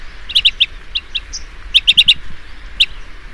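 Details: Dusk calling of a blue-tailed bee-eater: loud, clear chip notes, first a scattered few, then a rapid burst of four, then one last note, over a quiet background.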